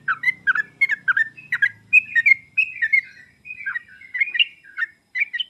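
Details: Sooty-headed bulbul song used as a lure and master recording to prompt reluctant birds to sing: a lively run of short bubbly, slurred notes, some rising and some falling, given about three per second, with a faint low hum early on.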